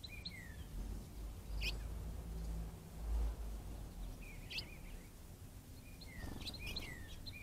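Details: House finches at a bird bath on the morning of 22 March 2022 give scattered short chirps and slurred downward notes every second or two, over a steady low rumble of outdoor background noise.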